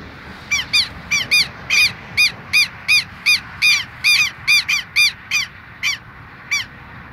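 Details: Clear, loud bursts of harsh, ringing calls from a pair of Southern lapwings guarding their nest in the same spot, about two to three a second, irregular and sometimes doubled, slowing toward the end.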